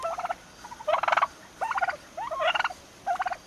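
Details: Almost six-month-old turkeys produce five distinct bursts of fast rattling gobbles, bubbling pulses followed by brief pauses.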